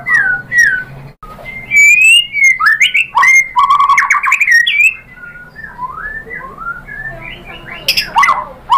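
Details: A white-rumped shama sings a long mixture of clear whistles, buzzy trills and soft lower warbles, with a brief silence early on and faint background hum.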